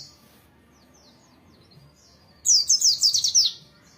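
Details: Oriental white-eye singing energetically in the morning, in a wild, forest style: after near silence, a one-second burst of rapid, high, sharp chirping notes tumbles downward in quick succession.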